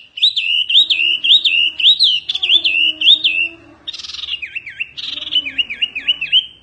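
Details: Oriental white-eye singing fiercely, in a recording meant for tutoring birds. Looping high whistled notes roll in a quick series, then a brief buzzy note, then a run of deep dipping, swooping whistles.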